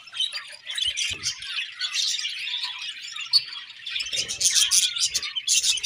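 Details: Budgerigars chirping in the morning: a dense flock-like chatter of high, scratchy warbles and squawky notes, continuous throughout with brief louder bursts near the end.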